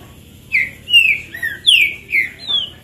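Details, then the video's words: Green-winged saltator, a kept bird shown off as a top singer, gives six clear whistled notes, each a short slurred phrase sliding downward, spaced about half a second apart, with a quiet, steady background. "Trinca ferro zero um mostrando oque sabe fazer!"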